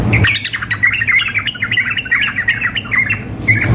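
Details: A female sooty-headed bulbul calls a male, paired with a lively male in a contest simulation: a brisk steady stream of short twisting chirps, ending with a single note, over a low hum.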